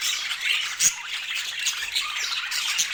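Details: Pet budgerigars of striking colours keep up busy overlapping chirping, a thick wash of bright squeaks and rasping warbles with a short louder chirp near the start.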